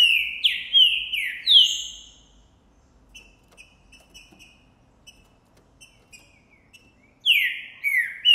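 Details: A green-winged saltator of the boi type, recorded January 2024, sings hard on seeing a female. Four or five loud downward-gliding whistles come in a burst, faint chirps fill a gap, then two more falling whistles.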